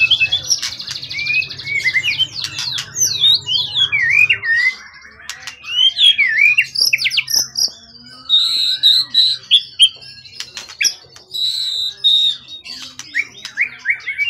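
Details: Prize-winning wild-origin competition bird, tail exceeding 20 cm, calm after long keeping, singing strongly: buzzy trill, then varied slurred whistles, sharp clicks and sustained high piping notes in bursts with short pauses; low hum early.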